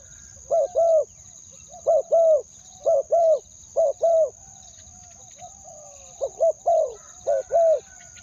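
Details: Decoy spotted dove calling to draw in wild doves with two-word ku-ang cooing. Paired mellow hoots, a brief note then a fuller one, come in bursts with a quiet gap midway. A constant high-pitched tone runs underneath.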